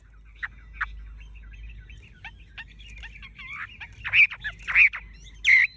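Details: Tame caged Chinese hwamei with yellow legs, bill and plumage: quiet scattered twitters and chips, swelling at the end into a few loud, rich, ringing whistled notes.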